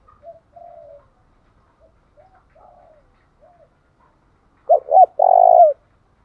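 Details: Spotted dove call meant to provoke singing: several faint soft coos, then one loud phrase of two hooked notes and a long rolling coo near the end.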